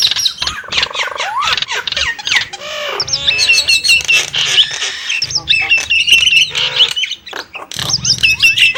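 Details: Nias hill myna with varied gurgling notes, rising whistles, harsh squawks and sections of fast chattering, interrupted by brief pauses, over a low background hum.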